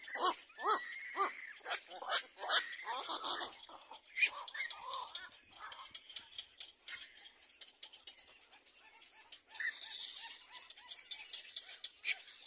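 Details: Little black cormorant baby bird begging as its mother feeds it: rapid bursts of harsh, high-pitched squawking cries, loud at first, then scattered and softer, with brief pauses between runs.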